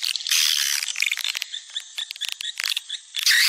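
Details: Swiftlet lure call, popular in Sumatra and used to attract swiftlets: dense, buzzy high twittering with bursts of chirps. Quieter, broken passages fall in the middle, and a loud burst of chatter comes at the end.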